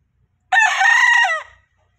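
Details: Junglefowl giving one harmonic crow of about a second, a rough, ringing phrase that holds steady and then fades, with no other sounds around it.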